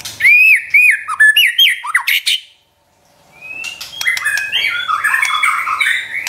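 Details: White-rumped shama song played to train a pet shama: loud arched whistles repeated several times, a silent gap, then a long rising whistle leading into a busy, varied warble.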